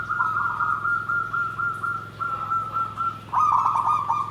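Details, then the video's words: Zebra dove song in the 'nggandem gedhe garing' style: steady, slightly wavering cooing phrases on a single pitch with short breaks, then a louder, choppier burst of rolling notes near the end, over a steady low background hum. "SUARA PERKUTUT"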